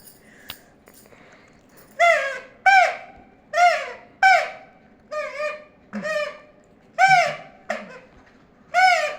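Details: Pet talking parrot indoors giving a series of about nine loud, harsh, harmonic-rich squawks and short vocal bursts at irregular intervals, some wavering, with quiet room background.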